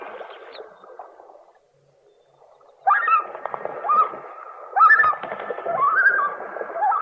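A common loon gives wavering, quavering mid-pitched calls, a softer one first, then after a short pause louder rising and falling notes that run on for several seconds.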